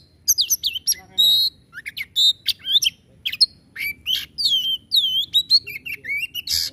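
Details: Kacer, the white-rumped shama, singing energetically to stir other birds into song: a dense rush of varied whistles, sweeping slurs, buzzy rasps and sharp clicks, packed with short gaps over several seconds.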